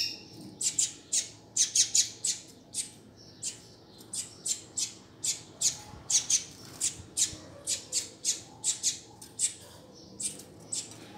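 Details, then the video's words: Calls of a double-collared seedeater meant to warm up and teach another male: a long, fast series of sharp, high chips, sometimes doubled, continuing for over ten seconds with a low hum beneath. "COLEIRO CHAMANDO TOP PRA ESQUENTAR SEU COLEIRO OU PAPACAPIM"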